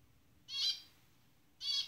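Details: Jungle-dwelling pair of zebra finches: two strong nasal, trumpet-like calls about a second apart, harmonically layered and bright, with near silence between them.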